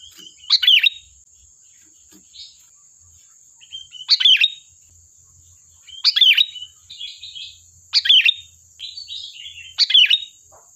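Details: Energetic sooty-headed bulbul song intended to lure other birds into answering: a sweet, bubbling warbled phrase repeated about every two seconds, five times, each followed by softer twittering notes, over a faint steady high-pitched whine.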